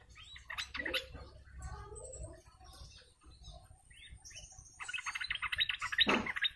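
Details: A flock of sooty-headed bulbuls, in a recording used as a lure for the species: mixed soft notes at first, then fast, dense chattering that builds to a loud, buzzy climax near the end.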